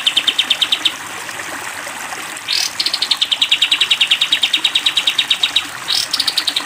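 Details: Sooty-headed bulbul long 'tembak panjang' song used to train cage birds: a short run of rapid high chips, a swish, then a longer even stream of the same sharp notes, ending with another swish.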